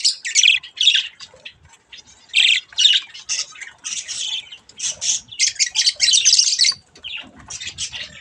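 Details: Budgerigar chicks at play with a mirror, giving a stream of harsh, buzzy squawks in quick bursts, about two or three a second, with brief pauses between runs.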